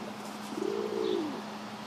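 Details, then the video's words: A pigeon chasing another pigeon gives a single low, soft coo that rises slightly, then slides down, lasting under a second, over a steady faint background hum. "making strange noises"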